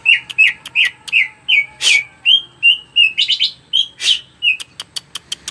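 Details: Greater green leafbird singing energetically, its song used as a lure so other birds start singing: a steady run of bright whistled notes, each slightly upslurred, mixed with harsh rasping bursts and rapid clicking ticks.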